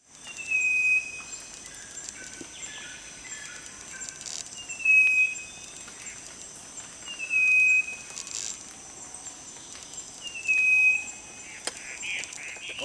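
Striped wren-babbler giving four pure, level whistles, each about half a second long and repeated every three seconds, over a steady high insect hiss.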